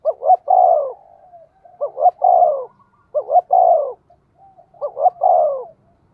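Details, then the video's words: Decoy spotted dove of the 'giọng thổ' voice type, calling to excite wild birds. Four coo phrases about a second apart, each of two short rising notes and a longer downward-sliding coo. "Chim Cu Mồi/ cu gay kich boi nhanh noi"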